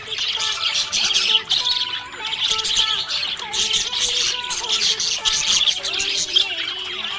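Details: Budgerigar, described as happy, giving continuous scratchy chirping chatter with rapid squeaks and clicks, while background music holds long tones beneath it.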